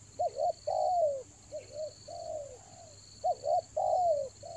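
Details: Spotted dove used as a lure bird in the rainy season, giving repeated cooing phrases: short double notes followed by longer, slightly descending coos, in bursts with pauses; a steady high electronic hum runs behind.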